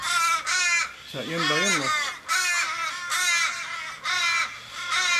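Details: Distressed Australian ravens surrounding a dying companion in Kellyville, Sydney, 1 July 2012; loud drawn-out caws with falling tails, separated by short pauses, and a person's voice speaking briefly in the middle.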